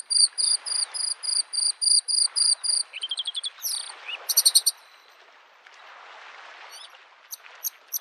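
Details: Bluethroat (Luscinia svecica) singing in spring from an old tree near a lake: high ringing notes about three a second, speeding into a rapid trill and ending in buzzy phrases, over soft lapping waves.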